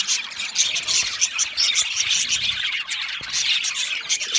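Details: Many caged budgerigars chirping together in an aviary: thick, high-pitched chatter with quick repeated tweets and occasional sharper squeals over a faint low rumble.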